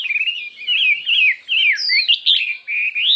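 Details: Chinese hwamei in a singing contest, delivering a varied many-voiced song: a rapid stutter of short notes, then loud slurred whistles that wander up and down, with one high descending whistle near the middle.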